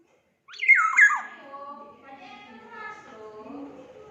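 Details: Black-naped oriole from Sumbawa: one loud fluty phrase dropping steeply in quick whistled notes, followed by a softer, lower run of drawn-out warbled tones that fades out.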